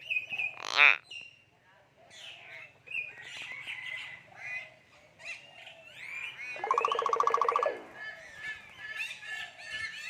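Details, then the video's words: Common hill myna speaking human language, mixing a harsh squawk, scattered whistled syllables and a long buzzy, rasping voice-like phrase near the middle. "common hill myna speaking human language"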